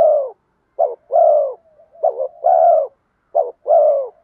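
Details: Spotted dove cooing in the 'giọng đồng' urging style meant to draw wild doves home: the tail of one coo, then three phrases of a clipped stuttering note and a drawn-out even coo, soft hums between.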